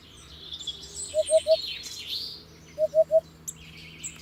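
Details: Hoopoe calling: two bursts of three soft, low, hollow hooting notes, evenly spaced, with a pause between bursts, over faint high chirping of other birds.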